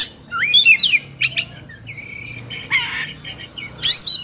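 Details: Oriental magpie-robin (kacer), worked up in the 'emosi' or 'kongslet' state in Indonesia, delivers looping whistles, a steady held tone and rasping noisy notes, ending in a sharp high burst.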